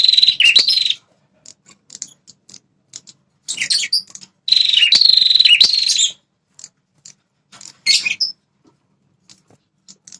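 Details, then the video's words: Lure call of a red-headed prinia, a fighting bird that defends its territory: rapid buzzy trills in bursts of one to one and a half seconds, with dry ticking chips scattered between them. "Suara Burung PRENJAK Kepala Merah"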